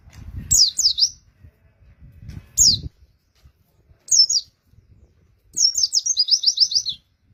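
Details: Oriental white-eye song used to lure wild birds; short bursts of high, thin, tumbling chirps separated by pauses, ending in a fast rhythmic series of twittering notes, with soft low thumps between phrases.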